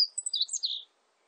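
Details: A single quick song phrase from a meadow bunting, a rapid jumble of thin, high, sliding notes lasting under a second, then quiet.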